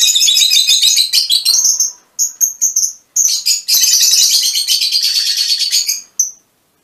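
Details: Nearly continuous high, rasping chatter and squeaky twittering from mutation Fischer's lovebirds, broken by a few short breaks and ending with a single shrill chirp.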